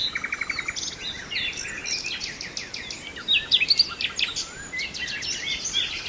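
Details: Nightingale singing in Brijeste: opens with a rapid series of evenly repeated pulsed notes, then varied high chirps, whistles and short trills amid other birds calling in the background.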